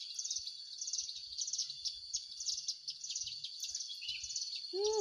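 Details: Hill prinia sounding during a trapping session where its call serves as a lure; rapid high chirped bursts follow one another about twice per second, with soft low knocks underneath and a brief lower sound at the very end.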